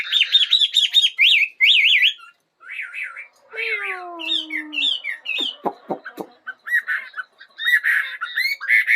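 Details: Bird singing in the morning: rapid high warbled phrases, then a pause, a lower drawn-out harmonic whistle, sharp clicking notes and renewed bright chattering warbles toward the end.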